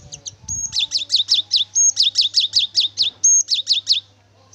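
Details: Singing Cinereous tit used as a lure to prompt another to sing: a fast, even run of about fourteen bright high notes sliding downward, each repeated quickly, broken twice by a longer high whistle.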